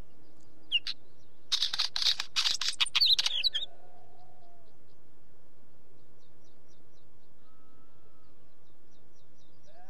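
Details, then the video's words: Wheatear calling: a couple of sharp isolated clicks, then a quick two-second flurry of hard, dry chacking notes, followed by near silence with faint distant thin whistles over a low background rumble. "Wheatear sound"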